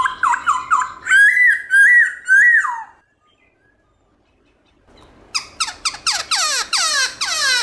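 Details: Black-throated laughingthrush singing its morning forest-style song with shifting voices. A series of loud, looping whistles ends in a falling slur. After about two seconds of silence, a quick cascade of sharp, downward-sweeping notes follows.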